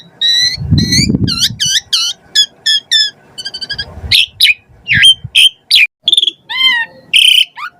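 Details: Varied Asian pied starling song of the 'gacor full isian' style, played as a lure for starlings: a fast series of bright stacked chirps followed by scattered whistles, harsh notes and a low falling whistle.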